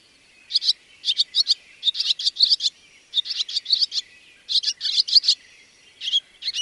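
Barn swallow giving a rapid, chattering twitter of high, scratchy notes in quick bursts, with short pauses between phrases; no other sounds stand out.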